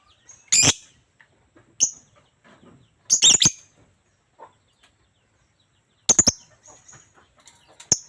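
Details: Lovebird calling with scattered loud, shrill, harsh chirps in short clusters a second or more apart, with near silence between bursts.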